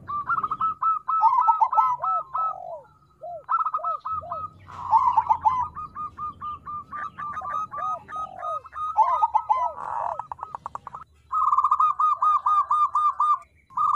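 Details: Crossbred zebra dove (perkutut krosing), song played as a lure to make birds sing: long series of fast bubbling coo trills with curved downslurred hoots, broken by brief pauses, with a faint low rumble in places.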